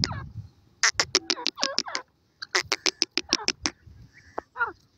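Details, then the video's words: Francolin, described as gora teetar and irani teetar, giving bursts of loud, harsh, clicking notes in quick series, with a few descending nasal notes between the bursts. Quiet gaps separate the phrases. "gora teetar ki awaz, irani teetar voice"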